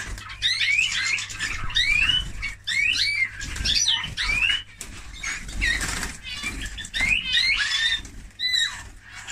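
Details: Singing Eurasian bullfinch delivering a dense, busy run of upswept whistles, twangy slurs and scratchy notes in uneven phrases, with a faint low mechanical hum underneath.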